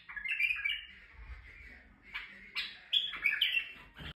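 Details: Male White-eared bulbul in Turkey singing to stimulate females: warbled, slurred phrases with rising and falling whistled notes, loudest at the start and in the last second, with quieter gaps between phrases.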